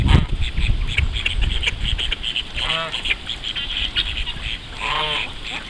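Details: On their morning swim, call ducks give a series of strident, buzzy quacks, several clear drawn-out nasal calls standing out, over steady background rumble.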